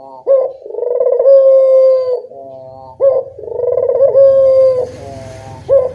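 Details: Puter dove call played as a lure for responding birds: a quick rising note leads into a rolling, then level coo, repeated about every three seconds, with a faint low hum underneath.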